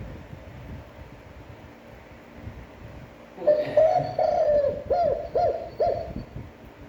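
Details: Spotted dove cooing in a standard, attractive voice for daily decoy training: after quiet, a long low coo leads into three brief curved coos, each slightly dropping in pitch.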